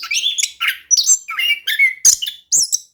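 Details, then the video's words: Dense orange-headed thrush song serving as a lure for silent birds: quick, slightly buzzy warbled notes and a few clear whistles, packed into brief bursts. "ANIS KEMBANG GACOR DAN NGEROLL COCOK UNTUK PANCINGAN ANIS KEMBANG MALAS BUNYI"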